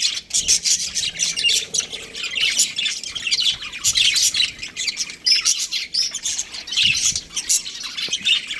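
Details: Budgerigar breeding pair chirping: dense, scratchy high chatter with quick warbled notes running almost without pause, some louder bursts near the middle and end.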